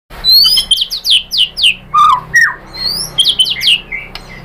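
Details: White-rumped shama lure song meant to rouse other shamas into answering and singing fully: a quick run of sharp, downslurred high whistles, broken by a lower slurred note midway, then more bright whistled notes.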